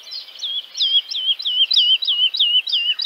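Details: A Woodlark (Lullula arborea) in Central Russia sings a rolling series of liquid, slurred notes, each dipping from high to lower pitch, about three per second, sweet and melancholy.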